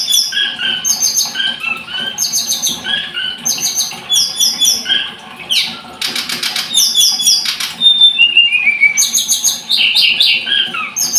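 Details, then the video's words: Blood-breasted flowerpecker giving repeated groups of very high, tinkling chips mixed with falling whistled notes. Brief fluttering bursts break in near the middle. "Kicau Tledekan Gunung"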